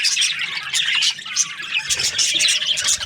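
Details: Busy budgie chatter of squeaky chirps and scratchy warbles from several birds, loud and continuous across the short stretch.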